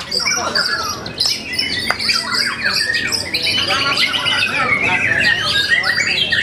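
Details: High, jumbled song from a white-rumped shama, quick chattering notes and short whistles tumbling together, growing busier and louder toward the end, with faint background noise.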